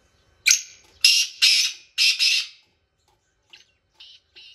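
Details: Black francolin calling in village fields in Pakistan: a quick run of five loud, harsh, grating notes over about two seconds, followed by a few fainter, shorter notes.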